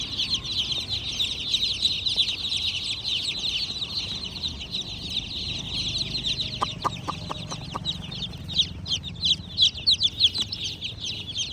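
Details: Many baby chickens keep up a constant high-pitched peeping chorus; in the second half a quick series of sharp taps or clicks is heard among the chirps.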